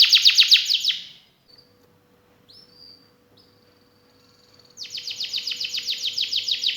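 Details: Actively singing canary in the prized cengkok istimewa, isian mewah style. A fast rattling trill fades out, followed by a near-silent pause with faint chirps. A long, loud, rapidly pulsed trill then resumes, over a steady faint hum.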